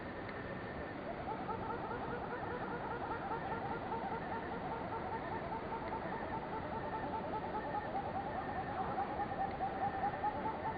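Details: One of a pair of little grebes, calling only when far away, gives a long, rapid whinnying trill over a steady rumble of background noise.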